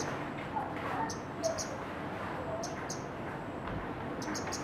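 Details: Scarlet-backed flowerpecker (Dicaeum cruentatum) call: sharp, very high ticking notes, some single and some in quick pairs, at irregular intervals over steady background hiss and murmur.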